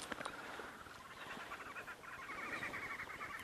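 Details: Green wood hoopoes cackling in the distance at Rietspruit Game Reserve, Lowveld, South Africa: a fast, chattering run of harsh notes that rises and falls, with chatter from glossy starlings blending in.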